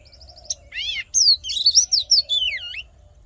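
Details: Oriental magpie-robin fighting song used to train voices and rouse males: a short rattle and a harsh stacked note, then a rich, continuous flow of swooping whistled notes ending in a deep downward slur.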